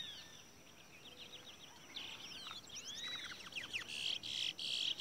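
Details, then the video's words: Caged seed finches (Towa Towa) in a bird race sing bright, rapid whistled slurs and chirpy trills that overlap and grow louder toward the end, several birds singing at once. "Bad Towa Towa/Curio/Bullfinch Bird Race"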